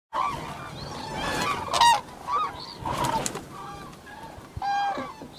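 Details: Cranes, called koonj, in farm fields, giving loud trumpeting, bugling calls in short bursts, some rising into brief rolling notes, with a few quieter calls between them.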